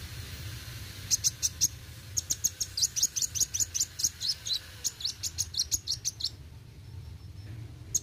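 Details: Kolibri wuling sunbird singing roll tembak: after a second of quiet, a long rapid sequence of sharp, very high chirps that stops abruptly, over constant low hum.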